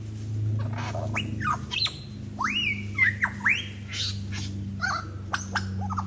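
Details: A lyrebird on Forest Path, Royal National Park, Sydney, belts out mimicked calls of black cockatoo, whipbird, currawong, wattlebird, kookaburra and others: rising and falling whistled sweeps, sharp clicks and harsh bursts over a steady low hum.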